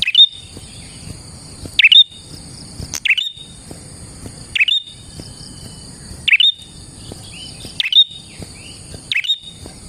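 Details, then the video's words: Prinia singing as a lure for prinias: a string of six abrupt falling chirps with high whistled tails, irregularly spaced one to two seconds apart, over a constant high ringing drone. "KICAU BURUNG PRENJAK GACOR"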